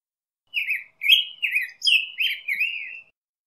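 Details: Black-headed grosbeak song in its variations: six liquid, robin-like warbled phrases delivered quickly with short gaps, each phrase swooping up and down, against a silent background.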